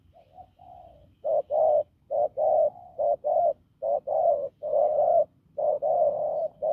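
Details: A wild-caught spotted dove with a hoarse, hard voice starts with soft murmurs, then repeats loud, low, rough double coos about once a second.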